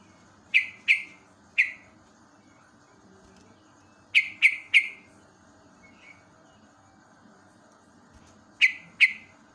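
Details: Yellow-vented bulbul in a live morning recording, used as natural training sound for young caged bulbuls: bright, sharp downward-slurred chirps in clusters of two or three, separated by pauses of several seconds, over a steady low hum.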